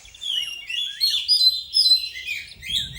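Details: Young white-rumped shama kept for training, singing a rich, varied run of high warbled and whistled phrases with sliding notes and sharp accents, fairly continuous and lively.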